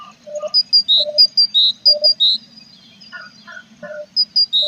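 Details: Tit at a nestbox with chicks on 21 April, the young growing more feathers; clear high whistled notes in two-note pairs, a higher note then a lower one, repeated steadily, with lower chirps between and a faint hum beneath.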